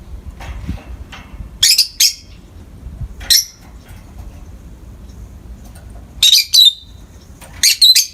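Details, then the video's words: Pet peach-faced lovebirds, two together in the morning light, give harsh shrill squawks in pairs and singles at irregular intervals, some with a thin whistled ending, with soft scratchy sounds between. "美しいさえずり 朝の光を浴びる コザクラインコ"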